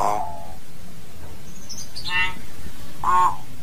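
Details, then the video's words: Common hill myna calling the flock: widely spaced nasal notes, a faint high squeak, then a brief buzzy call and a final nasal honk, over low steady background noise. "Tiếng Nhồng hót, tiếng Yểng hót gọi đàn"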